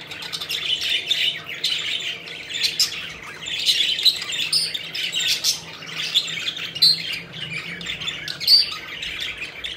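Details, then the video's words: Pet budgerigars having fun and flying, continuous twittering warble with many quick chirps and scattered high whistled notes over the whole stretch. "Budgies Having Fun: Playful Birds Flying and Chirping Joyfully"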